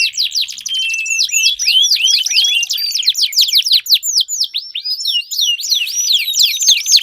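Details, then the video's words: Canary song played to stimulate a silent canary to sing. Rapid rolling trills open into a run of loud, clear, curving whistled notes repeated about four to five per second. "4 Suara Burung Kenari Ampuh Untuk Pancingan Kenari Macet Bunyi"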